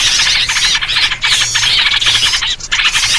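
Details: Yellow-vented bulbul chorus intended to attract birds for trapping: loud, rasping squawks and squeals tumbling rapidly over one another, broken by a couple of brief gaps.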